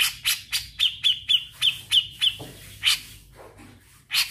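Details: Grey-cheeked bulbul singing with ngetril trills: loud harsh notes alternating with clear high chips about three or four per second, followed by a few scattered rasping notes.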